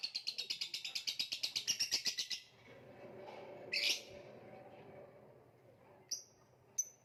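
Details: Lovebird in the Indonesian kicau mania contest-bird tradition, its song stalled or halting, called macet: a rapid train of shrill high chirps repeated nearly three times a second for two seconds, then scattered sharp squeaks over low background noise.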